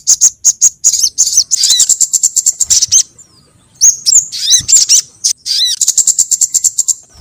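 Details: Lure call meant to attract sogon birds: quick, high ticking chips running into dense trills, a brief near-silence, then hooked whistles and more rapid, high chatter.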